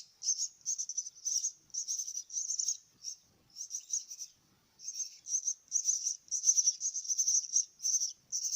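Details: Myna chicks being fed give harsh, high-pitched rasping bursts in quick succession, about a hundred a minute, with a brief pause near the middle.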